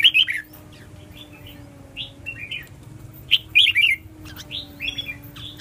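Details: Red-whiskered bulbul delivering clear, lilting warbled phrases, some louder clusters of rapid notes alternating with softer single whistles, with a constant low hum underneath.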